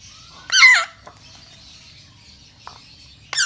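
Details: Hungry African grey parrot chick calling while being hand-fed: two short, harsh, buzzy squawks separated by nearly three seconds of quiet, with faint background hum.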